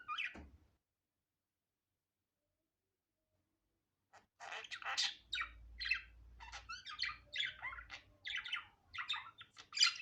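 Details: Budgerigar natural sound, unedited: after a short chirp and a long silence, a busy run of chattering warbled notes and squeaks with clicks, mostly high-pitched, filling the second half.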